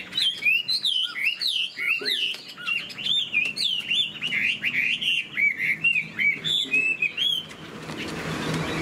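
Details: Caged Chinese hwamei with fanned tail and wing play sings loud, clear looping whistles, about three or four per second, in a lively rhythm. The song stops after seven seconds, leaving a rushing hiss.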